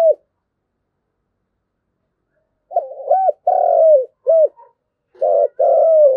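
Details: A ground decoy spotted dove calls the flock after a long silence with a burst of low hoarse coos, a drawn-out falling note and short arched notes, followed by a paired coo at the end.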